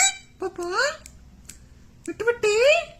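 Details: Talking parrot copying a word, two bursts of nasal, voice-like syllables that bend upward in pitch and are separated by a short pause, with a faint room hum underneath.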